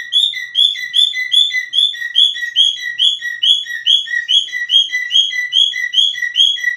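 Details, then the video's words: Whistling cockatiel giving a fast, even chain of two-note phrases, each a bright higher slur followed by a lower short note, roughly two or three phrases every second without pause. "Σφύριγμα κοκκατίλ"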